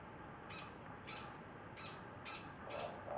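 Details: An older morepork perched on a container holding an injured younger morepork with a broken wing, seemingly comforting it, gives five breathy, high hissing bursts roughly every half second over a quiet background.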